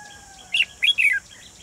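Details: Lure bird, a red-whiskered bulbul, set in a trap to attract wild bulbuls on 28 June 2020; one brisk phrase of three loud, slurred, falling whistled notes within about a second.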